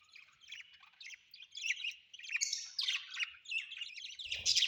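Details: Pet budgerigars at home give a steady stream of chirpy, scratchy warbling with rising and falling notes, ending with a low thump and a sharp louder call.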